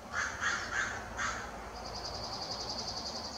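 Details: Bald eagle: harsh, cawing notes at the start, then a rapid, thin, high piping chatter of evenly spaced notes running to the end.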